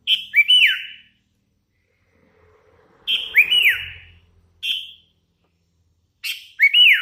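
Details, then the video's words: Hand-fed young sooty-headed bulbul in active song repeats a whistled phrase of a level note and a looping descending slur about every three seconds, with single whistles between and a brief low hum. "Suara ASLI kutilang LOLOHAN GACOR"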